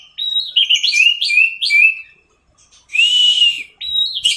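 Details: Orange-headed thrush, teler-style tutor song for training cage birds: a level whistle sliding into stepped, falling warbled notes, a silence, then a long, clear, arched whistle and a rising note.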